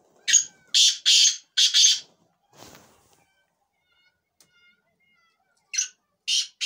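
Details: Black francolin, locally Kala Teetar, giving a harsh grating phrase of four rasping notes in quick succession, then silence, then two more scratchy notes at the close.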